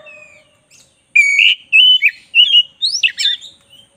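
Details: Oriental magpie-robin, black-breasted form, singing hard for a tutor recording. A soft low whistle opens, then loud whistled phrases come in quick succession and end in a high, rising, scratchy flourish.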